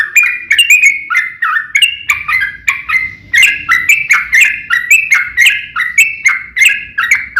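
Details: Yellow-vented bulbul in a long, rapid fighting song used to make other bulbuls respond at once. Quick, jumbled, gurgling notes come in steady waves, continuous and lively throughout.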